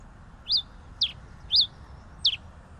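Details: Pileated finch giving four clear high chirps, some rising then falling, about half a second apart, over low background hiss.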